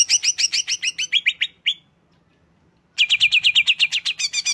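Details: Cucak hijau (Greater green leafbird) delivering quick, high, sharply repeated chirps that end in a few slurred notes. After a brief silence, a fresh rapid chattering phrase starts.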